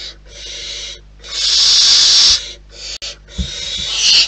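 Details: Long, breathy rasping hisses from wild barn owls at the nest. A quiet hiss is followed by a loud sustained one lasting over a second, then more rising hisses and a faint thump.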